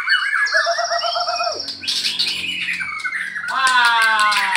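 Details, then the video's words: White-rumped shamas of the Balak 8 and Medan types, heard in the afternoon as one bird is trained against the other: long pure whistled notes, then a rising, buzzy burst and a run of rapid stacked trills. "coba nge CAS MB BALAK 8 dgn MB Medan di sore HARI"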